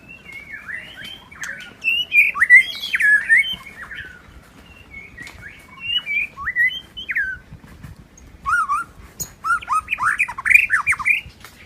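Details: White-rumped shama, a wild bird in forest, sings rich, varied whistled phrases with quick upward and downward slurs, in several bursts separated by brief pauses.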